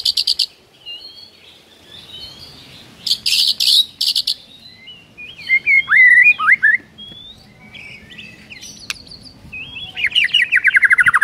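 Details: Morning song of a white-rumped shama, full of mimicry: scattered thin whistles and swooping notes, a dense burst of harsh chips, then a sweeping whistled phrase and a fading buzzy trill.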